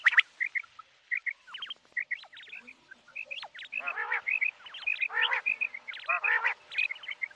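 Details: Common quail calling, short liquid notes in pairs and triplets repeated rapidly amid dense overlapping chirps, sweeping whistles and sharp clicks from several birds.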